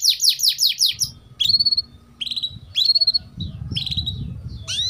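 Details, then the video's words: Young canary (paud) master song used as a lure to train young canaries. Bright, high trills of rapidly repeated downslurred notes, then separated buzzy and whistled phrases, over a low background rumble. "PANCINGAN Suara Burung KENARI GACOR Panjang || Masteran KENARI Paud"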